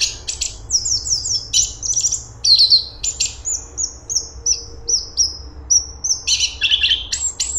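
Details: Cungkok, or grey-cheeked bulbul, singing densely. Quick buzzy chatters mix with runs of high, thin descending whistles, repeated several times a second, with a brief lower rattling burst near the end. A faint background hum is present.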